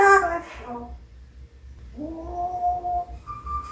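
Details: Pet parrot showing off its talent indoors, giving a loud wavering voiced cry that slides downward. After a pause comes a long rising, nasal, voice-like note, then a steady higher tone, over a low background hum.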